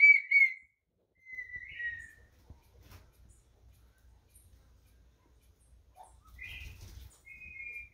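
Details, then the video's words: Red-winged tinamou (Brazilian partridge) sings clear, high whistles: a pure note, then a slurred descending whistle, a long pause, and two more whistled notes near the end, over faint low rumbling. "perdiz brasileira dando show"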